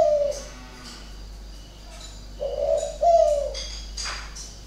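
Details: Caged spotted dove with a strange voice at Ba Vì, Hanoi: a short coo, a pause, then a rolling two-note coo, with clicking in the background.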